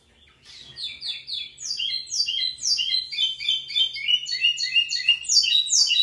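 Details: Pico plat, the lined seedeater, delivering an energetic song that starts softly and builds into a dense, rapid chain of descending buzzy chirps, about three to four notes a second, continuing to the end.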